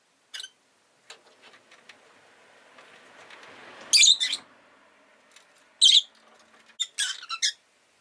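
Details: Rosy-faced lovebird kept as a pet, sharp shrill chirps in short clusters after a stretch of low background noise, possibly passing traffic, with a final group of rapid squeaky notes.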